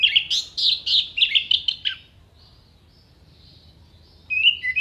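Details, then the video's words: Clear-voiced orange-headed thrush singing sharp 'shot' fill-in phrases for songbird contests. Two seconds of dense, rapid chattering notes, a quiet pause with faint high tones, then renewed short whistled notes. "MASTERAN ANIS MERAH GACOR FULL ISIAN TEMBAKAN TAJAM VOKAL JERNIH DURASI PANJANG ISIAN BURUNG LOMBA"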